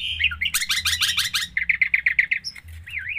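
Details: Vigorous long-tailed shrike song in full isian style: a fast rattling series of scratchy notes, then a quick run of clear chips and a wavering whistled trill at the end.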